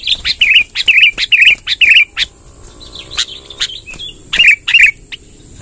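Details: Sooty-headed bulbul, in vigorous voice, giving a long rolling song used to draw wild bulbuls: a string of loud, slurred, bubbling whistles about twice a second, then a softer pause with faint notes, then two more loud phrases.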